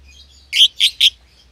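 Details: Lovebird pair, euwing green opaline and albino, caged together; three loud harsh chirps in quick succession within half a second.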